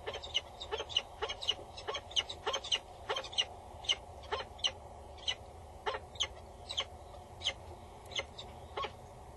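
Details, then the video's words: Female peregrine falcon calling loudly and bowing above the nest box on Axel Tower, male nearby, 22 August 2019 at 10:55; harsh, grating notes repeated about twice a second in a steady series, with a constant low hum behind. "Female above the booth. Male is nearby. She is loud and bows"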